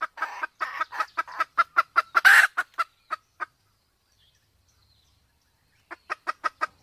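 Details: Red junglefowl from Sumatra, male and female combined with a female in heat, a clear recording used to lure wild birds: rapid runs of short clucking notes that quicken then slow, one harsh louder burst, a pause, then another clucking run.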